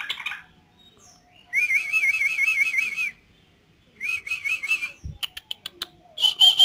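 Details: Energetic yellow-vented bulbul delivers two wavering, rolling trills, each about a second long, followed by a string of short clipped chips and a final bright note.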